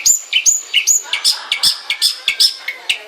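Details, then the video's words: Long-tailed shrike song of quick repeated phrases, each a high whistle dropping to a lower note, delivered about two or three times a second in a lively, scratchy stream. "kicau cendet mania"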